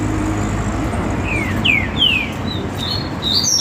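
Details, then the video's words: Caged great saltator (trinca-ferro) in a competition warm-up against another bird: three clear slurred whistles sliding downward, followed by higher short whistled notes, over steady low background rumble. "trinca ferro Gavião no esquenta com Tornado"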